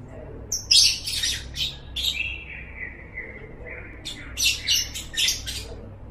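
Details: Lovebird ngekek: loud harsh squawking chatter in rapid bursts, then a long lower rolling trill. Several more rasping bursts in quick succession close the clip.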